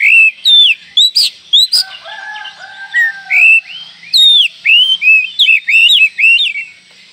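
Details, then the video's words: Oriental magpie-robin calling in a way said to provoke all other magpie-robins within seconds: a rapid, varied run of loud rising and falling whistles and sharp notes, with a softer, lower drawn-out sound near the start. "panggilan Kacer ini mampu mendobrak emosi semua Kacer dalam hitungan detik"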